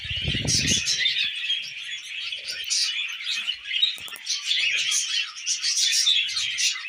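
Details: A group of tamed budgerigars chatters busily while feeding on millet. The flock keeps up steady high warbles and sharp chirps, and a low rumbling knock sounds at the very start.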